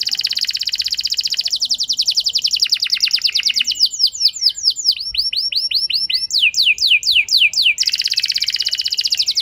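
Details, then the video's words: Canary song as a trigger for a low-spirited canary to reply and sing long: rapid rolling trill, a run of sharp sweeping notes, then the fast trill again, steady and loud throughout. "Pancingan Ampuh Bikin Gacor Kenari Kurang Emosi! Jadi Gacor Panjang"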